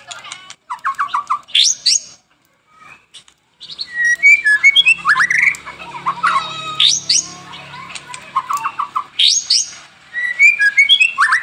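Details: White-rumped shama in energetic song, morning and afternoon: varied rich phrases mixing upward-sweeping whistles, rapid chattering notes and squeaky slurs, with short gaps between bursts.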